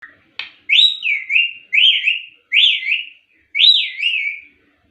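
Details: Ringneck parrot speaking: five clear, loud whistled word-like phrases, each rising then falling in pitch, repeated about once a second after a short click, in a quiet room.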